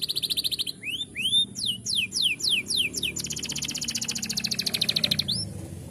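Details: Singing canary delivers a rapid high trill, then rising and falling swooped notes, followed by a long fast rattling trill and a final upslurred note.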